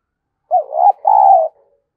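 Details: Spotted dove decoy call meant to excite other doves. A low hollow coo phrase about one second long, with a brief uneven first note and a longer steady second note that fades out softly. The background is silent.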